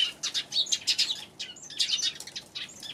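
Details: Eurasian tree sparrows recorded on January 11, giving a rapid, continuous run of bright, high chirps in short overlapping bursts, with no pause across the whole stretch.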